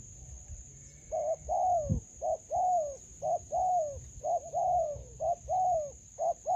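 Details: Spotted dove during decoy trapping in a melaleuca grove: mellow, low coos in uneven groups of short and drawn-out notes, roughly one per second, with a constant high-pitched electronic tone behind.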